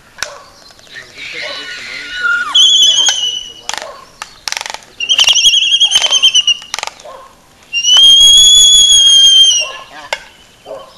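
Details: Courtship dance of Laysan albatrosses at Princeville, Kauai, Hawaii: nasal, rasping calls and sharp clacks, then drawn-out high, slightly arching whistled tones lasting about two seconds, with intermittent clicking between calls.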